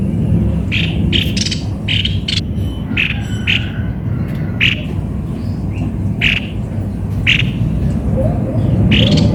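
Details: Rasping, buzzy notes from a cucak kopi-kopi, delivered in clusters and then singly about every second, against continuous low-frequency hum.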